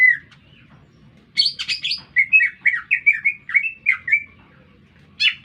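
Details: A green leafbird in the middle of a city gives a single whistle, then after a pause a harsh buzzy burst and a run of quick, evenly spaced chirping whistles, ending with another rasp.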